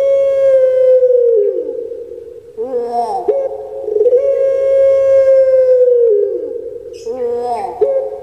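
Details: Puter pelung collared dove, a caged bird, giving long drawn coos. Each coo is a sustained tone that holds level for about a second and a half, then falls and wavers into a rougher tail. The phrase is repeated twice in close succession.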